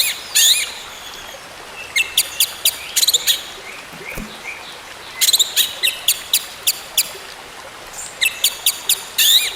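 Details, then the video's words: Orange-headed thrush song, used as therapy to coax a silent bird back into singing: bursts of sharp, high chirps and rapid clicking notes in short clusters with pauses, over a steady background hiss. "TERAPI ANIS MERAH MACET BUNYI, BERTAHAP KEMBALI GACOR"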